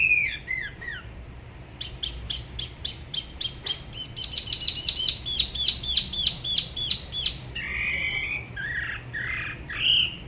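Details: Spot-throated babbler singing solo by the La Ba river near Da Lat, Vietnam, in a style described as unusual compared with other regions: a few slurred whistles, then a fast train of sharp repeated high notes, ending in warbled phrases.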